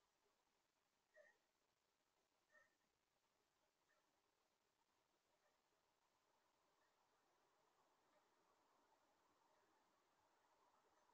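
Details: In Maryland, a White-breasted nuthatch gives two short nasal notes about a second and a half apart, then fainter repeats, over a steady background hiss.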